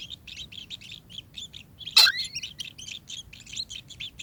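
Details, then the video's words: Kingfisher calling in a quick run of high, scratchy chirps, with a brief louder sweeping note and a sharp clap partway through before the rapid chirping carries on. "burung tengkek"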